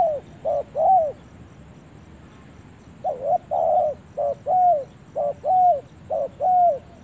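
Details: Spotted dove making its first trip to the forest, giving short rising-falling coos in quick phrases of two or three notes, a pause, then a longer run of paired coos about once a second.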